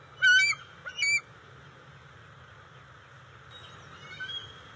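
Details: Two loud, high, harmonic squealing notes from bald eagles at a nest, recorded June 29, 2021, as eel and fish are delivered to juveniles. A quieter thin call follows later over steady low background noise.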